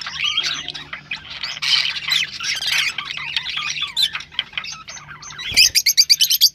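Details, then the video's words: Rosellas chatter with a dense mix of bright whistles and harsh chirps, ending in a rapid series of sharp, high notes; sounds used to stimulate rosellas to breed. "تغريد طيور الروز ( حفز طيورك )"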